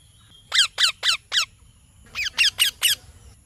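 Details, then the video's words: Two runs of four rasping parrot chirps, each note a steep downward squawk, evenly spaced about a quarter second apart, with a short pause between the runs. "Parrot Chirping Sounds / Voices"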